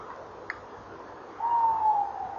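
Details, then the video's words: Tawny owls at a nest box on 19 November 2013 at 18:17, filmed by a nest-box camera, male calling and trilling while female answers; a single drawn-out, slightly falling hooted note over faint background hiss, one soft click before. "Bosuil M roept en rolt V antwoordt M bij kast"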